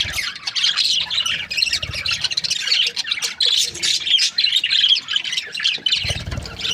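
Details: Budgerigars kept in breeding pairs, a continuous busy chatter of high chirps, squeaks and short squawks from many birds, with soft low knocks at the start and close.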